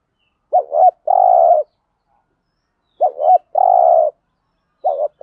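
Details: Spotted dove cooing in 'thúc gù' style as a lure for wild doves: phrases repeated about every two and a half seconds, each a short wobbling double note followed by a sustained mellow coo, in otherwise quiet surroundings.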